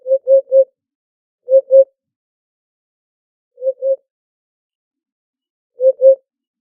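A Eurasian hoopoe gives soft, hollow, low "oop-oop-oop" hoots in groups of two or three, repeated every two seconds or so against a quiet background.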